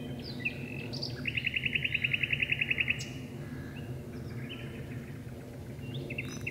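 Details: Common nightingale singing deep inside birch bushes at dusk, with two birds present: a long, even series of about a dozen fast repeated notes, bracketed by shorter varied phrases, over background hum.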